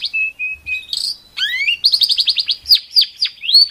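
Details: Masteran of a competition songbird in rough 'tembakan' style: thin level whistles, upward slurs, a fast chattering run and several sharp downslurred notes.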